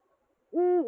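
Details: Eurasian eagle-owl courtship call during the 2022/2023 season, after a female gained a new mate in October: a single loud, deep, steady hoot with rich harmonics, lasting about half a second and dipping slightly at the end.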